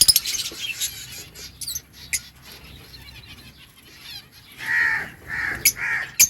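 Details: Lovebirds in a breeding colony: scattered sharp clicks and chips, then three loud, harsh squawks in close succession near the end.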